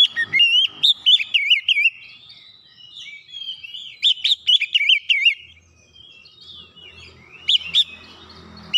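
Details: Oriental magpie-robin provoked by a rival's song, singing fiercely and showing its mimicked repertoire: rapid twisting whistles and chirps in two dense bursts, then a softer stretch and one last sharp phrase.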